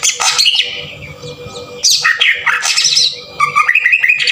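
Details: Green leafbird song used as a lure to provoke singing, in a harsh rapid-fire style: loud bursts of squawky, scratchy notes and jumbled chatter separated by short pauses.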